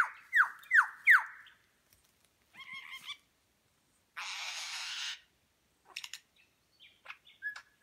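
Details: Lyrebird in New England National Park, NSW, Australia, mimicking other birds' calls while displaying its tail feathers: three loud, ringing downslurred whistles, a brief chattering phrase, a harsh noisy burst, then scattered sharp chips and short notes.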